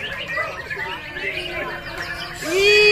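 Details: Caged white-rumped shama hung up high, sitting calmly: a dense run of quick varied chirps and whistled notes, ending in a louder rising sweep, with people talking nearby.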